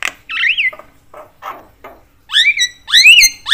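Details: Javan myna, said to make other mynas agitated; loud swooping whistled notes with softer rasping notes between them, the whistles rising and curving.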